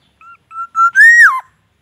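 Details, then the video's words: Caged Black-naped oriole, kept in daily care and sunned in the morning, trained with white-rumped shama song phrases: short clear whistled notes rising in pitch, ending in one longer fluty slurred note that drops at the end. No other sounds. "Kepodang gacor full isian murai batu"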